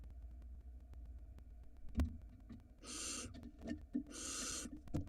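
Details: Barn owls at a nest box in Israel, filmed by a live 4K nest camera in spring 2022 with nestlings present, as the male brings a mouse: two long breathy hissing bursts over a steady low hum and faint clicks.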